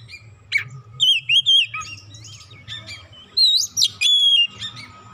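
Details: Oriental magpie-robin, provoked once and straight away singing emotionally through its repertoire: loud varied whistled phrases, rising and falling slurs and sharp chirps in bursts, with a steady low hum beneath.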